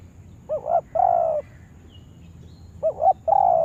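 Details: Trained lure spotted dove used for trapping gives two phrases, each a quick stuttered double coo and then a sustained, rolling mid-pitched coo, with a long pause between.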